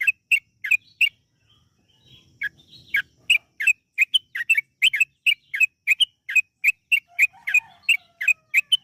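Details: Lure song of a yellow-vented bulbul, used to make birds sing: a few chirps, a quiet gap with a soft low rustle, then a steady run of bright chirps about three per second.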